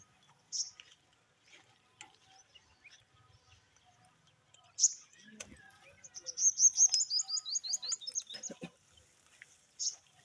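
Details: Parrot chirps: scattered single high squeaks, then a quick series of about a dozen bright chirps lasting some two and a half seconds, with a quiet background.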